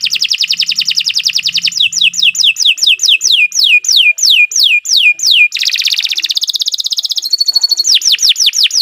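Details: Canary singing a long training song for captive birds: a fast even trill, then slower descending whistled sweeps, a buzzy rolling passage and more sweeping notes at the end.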